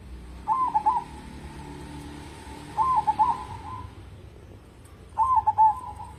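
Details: Local zebra dove in steady song, kept as a lure to set other birds singing: three soft, mellow cooing phrases, each a quick burst of staccato notes rolling into a purring coo, about every two and a half seconds, with a faint hum between phrases.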